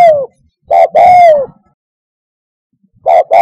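Spotted dove cooing in soft, hollow, low notes: a short coo, then a longer drawn-out one, repeated after a pause of over a second. No other sounds.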